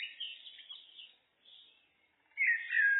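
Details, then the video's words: Common blackbird (Turdus merula) in a looped recording: a soft warbled phrase around mid-high pitch fades out, a near-silent gap follows, then a louder, clear descending fluty phrase rises up at the end. "Blackbird, Turdus merula, birds (looped)"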